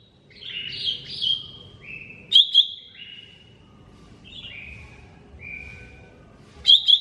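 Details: Greater green leafbird, mini type, on a songbird training recording: a varied run of clear whistled phrases, some slurred downward, broken by loud sharp double chips repeated at intervals, with faint low background rumble.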